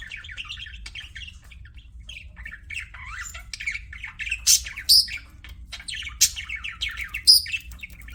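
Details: Budgerigars chirping: soft warbled chatter at first, then louder shrill squeaks from about four seconds on, several sharp peaks in quick succession, with a low hum in the background.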